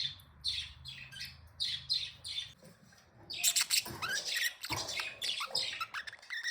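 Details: Budgerigars, described as happy and playing, give rapid buzzy chirps and harsh squawky bursts, first in short repeated notes, then a denser jumble of scratchy chatter.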